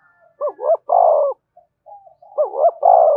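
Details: Spotted dove cooing, used to stir wild doves to call and come in quickly: two low, throaty phrases, each a quick wavering double coo followed by a long drawn-out coo, separated by a short pause with faint softer notes.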